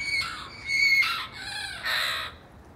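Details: Many wild parrots in San Diego calling: four harsh, raspy squawks within three seconds, each a broad noisy burst with stacked overtones. A thin steady whistle-like tone runs under the first two.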